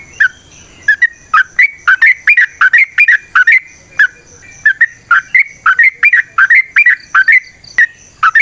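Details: Long yellow-vented bulbul song meant to lure other birds into singing: lively bubbly phrases of dipping then rising notes, delivered in quick irregular pairs without pause, clear against a quiet background.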